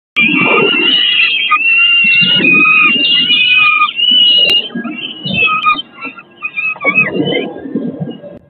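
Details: Peregrine falcons at their nest on St. Catherine's church in Eindhoven, recorded 4 May 2022 during a feeding. Loud, harsh, wavering whining calls overlap continuously for about four seconds, then come in broken bursts, over low rustling and scraping.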